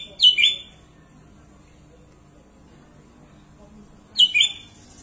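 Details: Sooty-headed bulbul singing energetically with a rich repertoire: two short bubbling phrases of descending, slurred notes about four seconds apart, with quiet background between them.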